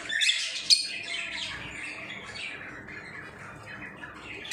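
Lovebirds give loud, harsh, high squawks and chatter, with a burst at the start and another at the end, over a softer steady twittering.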